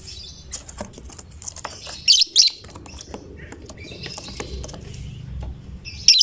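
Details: Lovebird, fighter type, in full song that is said to make any lovebird join in; a pair of shrill, quick chattering bursts, then a quiet stretch of faint twitters before one more sharp burst.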